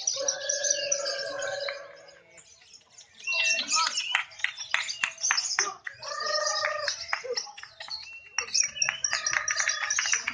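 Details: Lovebirds in a singing contest where the most actively calling bird wins; bursts of fast, clicking, high twittering chatter come in three to four bouts, with a quieter pause early and voices nearby.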